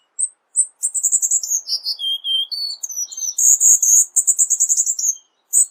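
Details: Cuban bullfinch performing rapid 'tembakan rapat' song for tutoring: isolated high chips, then a run of quick whistles dropping in pitch, then a loud, fast, high twittering burst.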